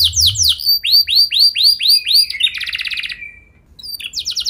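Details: Singing canary on a training recording for other canaries: descending sweeps, a string of arched whistled notes, a brief buzzy trill, silence, then a fresh burst; faint low rumble at the start.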